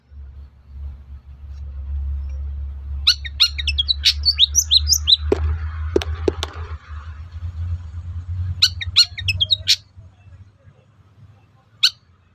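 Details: Long-tailed shrike lure song to provoke other shrikes into replying: a rapid run of scratchy notes, then a noisy rustling stretch with thuds, then more harsh chattering notes and a final single call.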